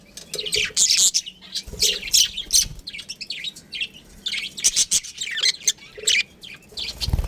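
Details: Budgerigar colony with a breeding pair, lively chirping and warbled chatter from several birds, some lower squawky notes mixed in, and a soft thump at the end.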